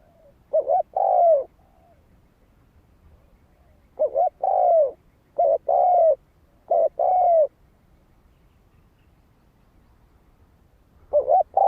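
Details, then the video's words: Spotted dove song meant to draw wild birds to a decoy. Five deep cooing phrases, each a short two-part note followed by a drawn-out descending coo, grouped irregularly with pauses, over a faint low background hum. "Tiếng chim cu gáy kích mồi cực sung"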